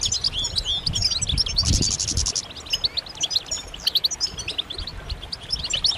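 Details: European goldfinches calling together in mating and readiness calls that prompt males to sing: rapid, high, sweet twitters and trills throughout, interrupted by a brief harsh rushing burst and some low thumps early on.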